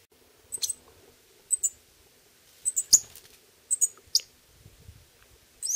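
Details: Young Pyrrhuloxias beg from the male parent, which feeds them after eating from a hand, Terlingua, Texas; clustered doublets of high, thin, sharp notes at irregular intervals, some low thumps and faint hum.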